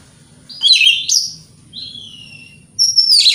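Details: White-rumped shama song used as a lure to provoke other white-rumped shamas: loud whistled phrases and sweeping high notes with a sharp rising flourish, then a thin falling whistle and a final bright burst.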